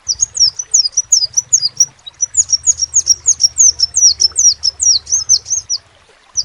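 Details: Crimson sunbird song: long rapid series of high-pitched, sharply descending squeaky notes, steady and repeated for over five seconds with one brief break, a low hum beneath.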